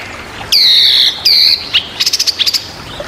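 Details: A very noisy Chinese hwamei, used as a master recording to prompt other songbirds, sings two long, loud, slurred whistles followed by a quick run of sharp, high chips and clipped notes.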